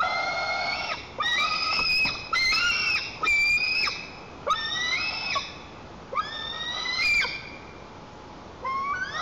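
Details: Young white-tailed eagle in a nest, Lower Kama National Park, Tatarstan, on 21 July 2023, protecting the nest against its mother by jumping and flapping; loud rasping harmonic screams, some rising, in a series of bursts with clicks between.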